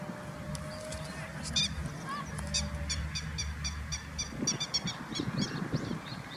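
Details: Grey-headed lapwing parent in Kyoto, Japan, in late April, keeping watch around its chicks, gives sharp, harsh notes in quick repeated bursts, several per second, over a steady low rumble of wind or distant traffic.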